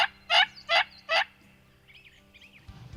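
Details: Wild Turkey during a spring turkey hunt, toms and jakes in the area: four rough, strong notes in quick succession, then faint thin chirps of small birds and a low rumble at the end.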